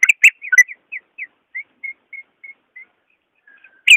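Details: Greater green leafbird's real voice, meant to stir leafbirds that sing little: a few sharp chirps open a slow string of soft, evenly spaced whistled notes, each slightly falling, ending with one loud chirp.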